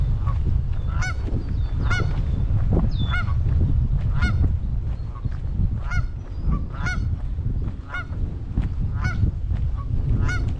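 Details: Canada geese with many goslings on a Michigan pond on the afternoon of 21 May 2021, around 5:15 pm, give nasal two-note honks about once a second, around ten in all, over a steady low rumble of wind.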